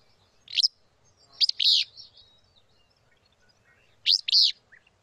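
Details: Southwestern Willow Flycatcher, endangered, in cottonwood-willow riparian habitat with flowing water along the Lower San Pedro River at the U.S.–Mexico border; arrives about mid-May to nest. Sharp, buzzy two-part notes, high and emphatic, repeated about every three seconds, quiet background.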